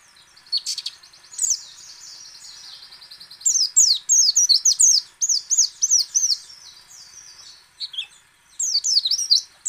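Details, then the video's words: A white-eye sings ngecal, ngalas and nembak style, used to prompt other white-eyes to open up and sing: a soft, fast buzzy chatter builds into a run of loud looping whistled notes, then brief bright bursts. "PLECI ngecal, ngalas dan nembak AMPUH memancing pleci buka paruh"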